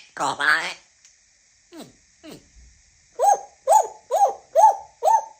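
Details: African grey parrot talking: a rough, speech-like phrase, two faint downward sweeps, then five clear, short, tonal chirps repeated about every half second.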